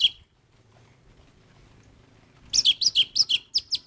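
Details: After a quiet pause, an orange-headed thrush bursts into rapid, sharp high chirps, roughly three per second, in an excited singing run.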